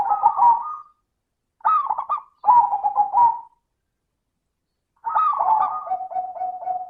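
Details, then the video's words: Perkutut or zebra dove lure song: rolling, stuttered coo phrases with short gaps between them. The last phrase runs into a long series of evenly pulsed low coos. "Pancingan suara burung perkutut - suara kristal"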